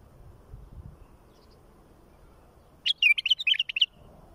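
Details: Bulbul song for tutoring chicks: after near silence, a crisp burst of about eight quick, sweet whistled notes, each short and bright, ends abruptly. Faint low hum underneath.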